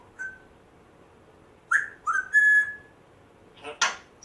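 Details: A captive African grey parrot, rescued a month before, gives a short whistle, then a swooping whistle and a long steady tone, followed by harsh noisy bursts.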